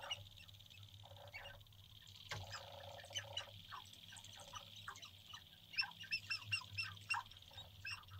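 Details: Sharp-tailed grouse males displaying on a North Dakota lek at dawn in April 2021: dense bursts of chattering, cackling notes and brief hoots, louder clusters late in the sequence, with a constant low rumble beneath.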